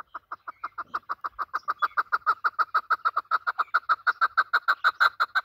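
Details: Chukar partridge, a native Afghan bird used by hunters, calling in a fast, steady series of harsh clucking notes, about three per second, growing louder and more insistent throughout; no other sounds.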